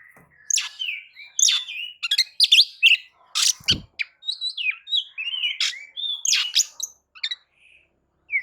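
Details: White-rumped shama singing a lure song to provoke other birds: a dense, varied stream of sharp chips, quick slurred whistles and warbled phrases over eight seconds, with one brief low thump midway.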